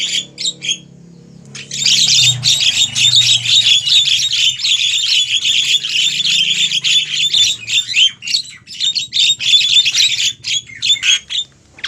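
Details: Javan myna lure call for attracting wild birds toward a trap: a dense, continuous stream of harsh rasping chatter, roughly four bursts a second, fading into broken squawks near the end.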